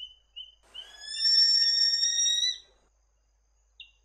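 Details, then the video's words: Lesser sooty owl, a rainforest owl of north-east Queensland: short faint whistles, then a loud sustained rich whistle lasting about two seconds, level and strongly layered with overtones, ending abruptly; a brief high note follows. "Lesser Sooty Owl"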